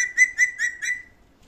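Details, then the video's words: Parrot, shown talking, gives a short burst of five clear whistled notes at a steady pitch, spaced about a quarter second apart and fading out, in a quiet setting. "Lovely parrot talking | Funny parrot talking video"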